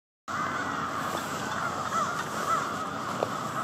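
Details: A massive murder of crows gathering at their nightly roost in Victoria Park, Charlottetown, Prince Edward Island; a dense, continuous wall of overlapping harsh caws from many birds at once, with no single voice standing out.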